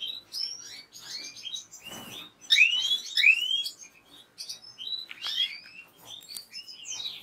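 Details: Lively European goldfinch song: bouncy, high upslurred notes and liquid twitters repeated in rapid sequence, with a short noisy burst near the start.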